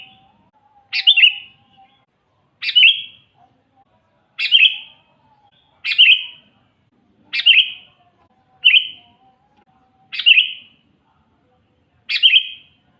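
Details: Sooty-headed bulbul singing as a lure for wild bulbuls: eight short, bright phrases, each a sharp high note dropping into a warbled whistle, repeated roughly every one and a half seconds in a steady rhythm.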